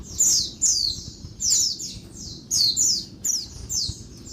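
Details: Female Oriental white-eye calling during the day to stimulate males: sharp, high, buzzy notes sliding downward, given in short bursts of two or three about every second, on a quiet background.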